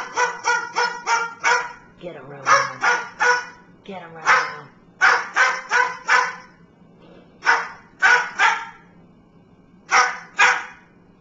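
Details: Cockatoo acting as a watchdog, giving loud rasping dog-like barks in rapid bursts of three to five, repeated over eleven seconds, with a person's low voice in between.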